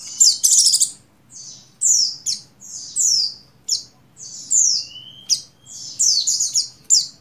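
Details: Breeding-condition female buxtoni Oriental white-eye calling the male, giving a rapid string of sharp, high, downslurred chirps and buzzy phrases almost every half second, one thin rising whistle among them, over quiet low hum.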